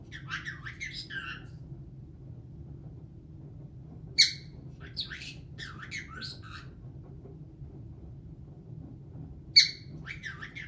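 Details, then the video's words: A pet caique parrot, known to sing, laugh and swear, chatters indoors in three bursts of harsh squeaks and shrill whistled chirps, each opened by a sharp squawk, over a low hum. "Caique Parrot sings, laughs, swears"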